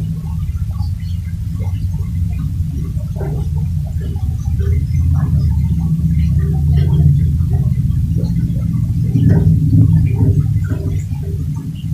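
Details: A steady low rumbling, gurgling noise fills the recording, with scattered faint clicks and knocks and no clear birdsong.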